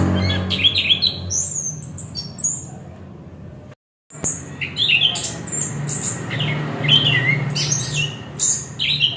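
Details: Orange-headed thrush singing: rapid, varied phrases of high whistled and trilled notes, some sweeping up and down, delivered about two or three per second, with a brief silent break midway and a faint low hum beneath.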